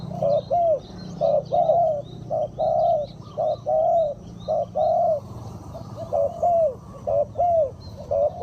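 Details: Decoy spotted dove calling to attract wild birds, a long run of hollow paired coos, short then drawn-out, over a low rumbling hum and light distant chirping.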